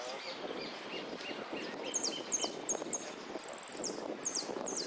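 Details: Saffron finch in a singing contest, repique song: soft high ticks, then repeated sharp descending whistles, each a little group, a brief fast trill, and further swept notes near the end, over a steady low crowd-like background.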